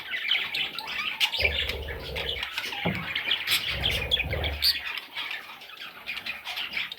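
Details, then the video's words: Parrot chicks chatter in busy overlapping raspy squeaks and chirps, with some sharper piercing notes and low thuds in the middle, quieter towards the end. "Parrot Chicks"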